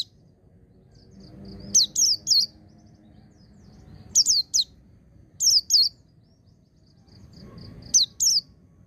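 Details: High, sharply descending whistled notes of a white-eye, in clusters of two or three spaced a second or more apart, meant for training caged birds; soft murmuring background between notes.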